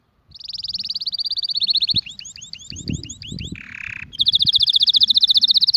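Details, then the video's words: Canary singing a high rolling trill, then repeated curved swoops, a short rasping buzz, and a final loud rapid trill, with faint low rumble in the background. "the most beautiful voice of the canary"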